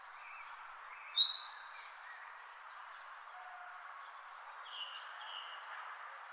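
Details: Crisp, high chirps repeat almost evenly, about every 0.9 seconds, seven in total. Brief fainter twitters from other birds are heard in the background.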